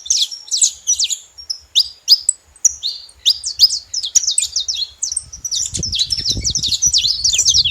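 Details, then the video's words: Saffron finches at a feeder make a lot of noise: rapid, sharp, high chirps and short trills tumble together almost without pause, with a low rumble rising in the last couple of seconds. "Canário da terra fazendo muito barulho na seva"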